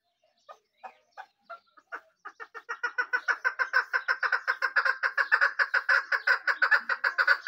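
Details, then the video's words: Desi teetar (partridge), with male and female calling: harsh clicking notes, slow and widely spaced at first, then quickening after two seconds into a fast, steady, rhythmic rattle that runs to the end on a quiet background. "Male Partridge's Unique Call"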